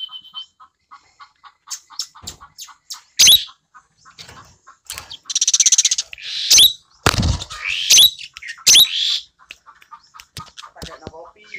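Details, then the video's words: Asian glossy starling kept tame in a cage, known for a clear shrill voice: series of short ticking notes, loud harsh screeches, a buzzy rattle and a thud-like knock. "Cucak Keling Gacor Jinak"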